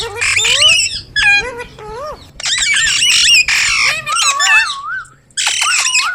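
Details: Indian ringneck parrot, a green pet bird, producing mimicked talk: loud raspy bursts alternating with bending whistled notes and a wavering tone near the end, a faint low hum beneath.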